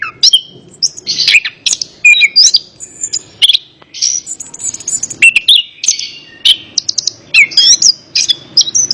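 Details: Orange-headed thrush song used as therapy to get a reluctant bird singing: a fast, varied stream of whistled notes, rising slurs and sharp chirps, delivered in tight bursts with brief gaps.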